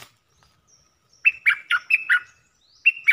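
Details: Red-whiskered bulbul kept caged as a luring decoy: a quick run of five rich, warbled whistles, then a pause and two more emphatic notes.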